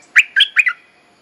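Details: Bulbul calling for a mate, a lure song for schooling young birds: a brisk phrase of four clear chirps, the first strongly accented, fading into silence.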